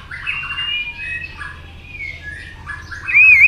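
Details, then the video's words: A white-rumped shama, fired up to sing in fighting mode, gives a string of mellow whistled phrases at varying pitches, ending in a loud, wavering warbled whistle. "kích lửa cho chòe lửa hót"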